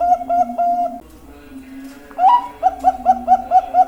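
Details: Zebra dove of the Bangkok type singing: a run of low cooing notes, then a brief pause and a rapid series of short, rising coo notes repeated about twice a second, with faint background murmurs.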